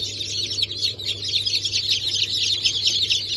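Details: Newly hatched chicks of Brahma, Sultan, Sussex and Wyandotte breeds from a hatch on 28 January 2024, a dense chorus of high, overlapping peeps running continuously over a steady low machine hum.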